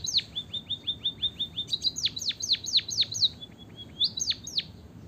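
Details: Munia song played to coax lazy munias into singing: a quick run of thin, high, evenly spaced chirps followed by louder, sharply downslurred notes in bursts, with faint low background noise.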